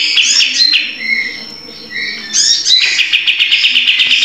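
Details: A bulbul in full song, used as a tutor recording, pours out a rapid, high, chattering warble of tumbling notes, with a thin sustained whistle and brief pauses between bursts.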